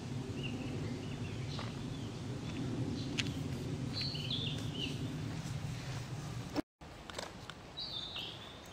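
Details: Male Narcissus flycatcher in song in Tokyo, morning of 6 May 2013 at 7:30, its phrases likened to "Topo Gigio, kuru-kuru-kuru". A few high whistled phrases stand out from a noisy low background, with a short gap of silence near the end.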